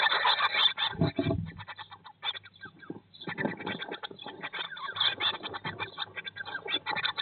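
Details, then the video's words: Eurasian blue tit nest box on day 19 after the first chick hatched, May 2022; almost continuous rapid chattering of harsh short notes with one short pause and a heavy low rustle near the start. "Blåmeisen i fuglekassen - Dag 19/ Bluetit in the nest box - Day 19"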